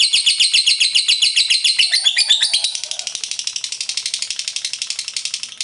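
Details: Ngekek chatter from a lovebird: loud, fast, scratchy high notes at first, then continuing a little softer as an even, quick, pulsing trill to the end.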